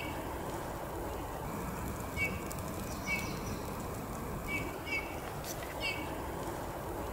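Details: Eurasian bullfinch on a maple tree giving soft, short, slightly falling piping whistles at irregular intervals, about six in seven seconds, over a steady low background rumble.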